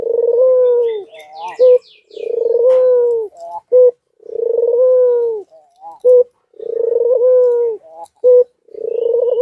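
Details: A white dove in heat coos over and over in courtship, bobbing its head. Four long rolling coos, each followed by a clipped note, come in a regular cycle, and distant small birds twitter faintly.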